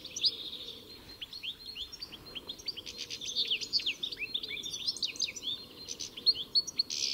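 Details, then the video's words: Goldfinch song, a lively continuous stream of high liquid twitters, slurred upward and downward whistles and short buzzy notes delivered rapidly for several seconds, background otherwise quiet. "Самая красивая песня щегла (Аудио) Как поёт щегол? Пение птицы щегол Песня щегла"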